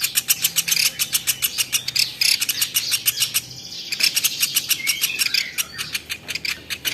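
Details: Velvet-fronted nuthatch recorded as a masteran for training champion birds. Rapid high clicking chips repeat in a steady series, with a short break near the middle and faint whistles mixed in.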